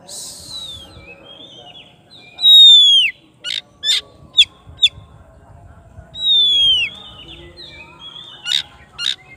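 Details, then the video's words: Oriental magpie-robin singing to call its rival: long descending whistles and clear slurred notes separated by short sharp clicks, with pauses of silence between phrases. "KACER GACOR MANGGIL LAWANNYA BIKIN NYAUT DAN NGEPLONG"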